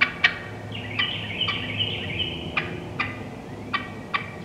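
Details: Wild wild turkey hens in the woods give a series of high, evenly spaced yelps followed by scattered sharp cutting clucks, with a low background drone.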